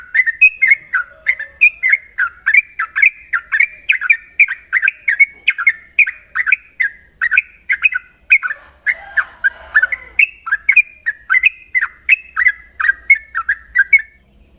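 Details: Extended morning ropel singing by a Sooty-headed bulbul: dozens of bubbly, chortling whistled notes delivered rapidly and evenly for the whole stretch, with a constant high-pitched hiss behind.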